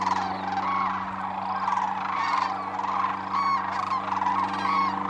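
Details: Sandhill cranes wintering at Whitewater Draw Wildlife Area in Arizona, a flock taking off: continuous chorus of rattling, bugling calls with sharp rising notes near the end, steady low droning hum beneath.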